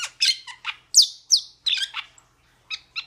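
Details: Harsh, raspy squawks from a metallic starling, loud and closely spaced, mixed with short shrill squeaks, then a brief pause before two softer scratchy notes.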